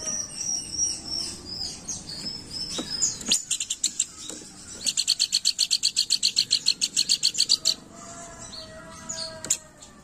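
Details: Planduk bukit used for luring, chattering steadily: a long even series of fast, high, dry chirps fills the middle, framed by softer twittering and a low tonal whistle near the end.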